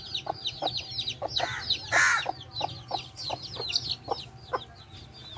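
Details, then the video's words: Hen and baby chicks: dense high-pitched chick peeps over repeated short low clucks from the mother, with a brief louder harsh squawk in the middle. "Baby Chicks & Mother Hen"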